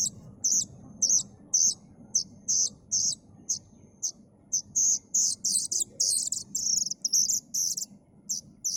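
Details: Plaintive cuckoo nestling calling with short, high, hoarse notes, about two a second. They grow longer and run together midway before spacing out again. Faint low background noise.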